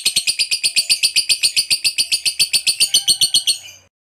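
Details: Lovebird ngekek chatter calling to companions: a rapid, regular series of about twenty harsh, high notes, roughly four per second, fading out after three and a half seconds.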